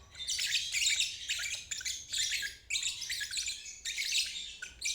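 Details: Ngeriwik song of a lovebird, used as therapy for young birds learning the trill; four loud bursts of rapid, scratchy, high chatter with brief gaps between them.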